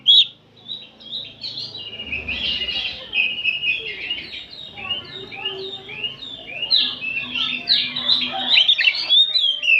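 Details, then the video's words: Afternoon chorus of many oriental magpie-robins: a fast run of slurred, whistled notes and chatter with rapid repeated phrases, over faint low background noise. "Kicauan kacer ombyokan bahan disore hari"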